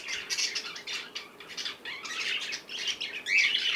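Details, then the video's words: Young cockatiel playing, giving a busy run of scratchy chirps and squawks, closely spaced and uneven, ending in a louder sharp note. "Baby Cockatiel playing time #1"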